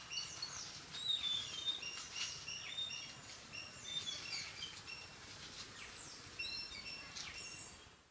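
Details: Yellow-billed babblers (Argya affinis) fighting, likely in Sri Lanka: harsh, scratchy chatter and thin squeaks in overlapping bursts, several birds calling at once, over a steady outdoor hiss.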